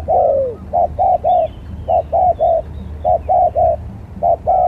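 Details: Spotted dove as a contest lure bird, opening with a falling coo then steady triplets of round, hollow notes with the last held longest; soft twitters of small birds in the background.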